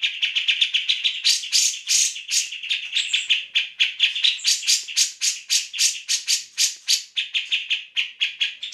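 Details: Tutor recording of a grey-cheeked bulbul in full song for training magpie robins and green leafbirds: fast, scratchy, rattling chatter with louder harsh bursts, roughly four notes per second, unbroken throughout.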